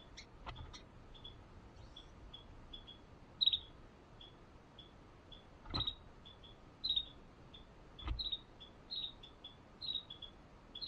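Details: Carolina wrens (owner's probable ID) feeding baby birds bugs on a patio: a series of thin, high chips, some doubled, spaced about half a second apart, with a few dull knocks and bumps.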